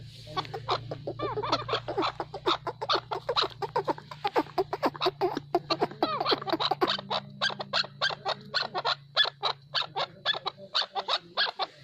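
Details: Natural calls of a chukar partridge: a long, fast series of clipped chuck notes that repeat almost without pause for about eleven seconds, with a low background hum that stops near the end.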